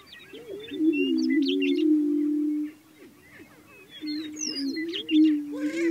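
Greater prairie chickens boom in low, hollow, moaning hoots that hold steady for about two seconds.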